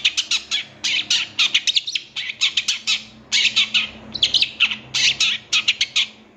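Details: Long-tailed shrike song from a master recording for caged birds: rapid, harsh chattering notes in steady bursts over a faint low hum.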